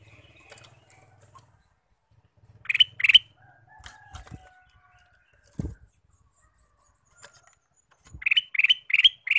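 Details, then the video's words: Male Ruby-throated bulbul singing all day: a pair of bubbly notes early on, scattered clicks and knocks, then a fast run of four or five lively warbled notes at the end. "Kicau Burung Kutilang Emas: Gacor Sepanjang hari"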